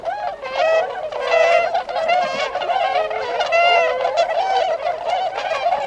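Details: Tundra swans gathered at Otakara-da retention pond in Azumino, Nagano, Japan, on 22 February 2013, heading out to feed in nearby rice fields before their northward migration. Many overlapping nasal, bugling honks form a continuous chorus.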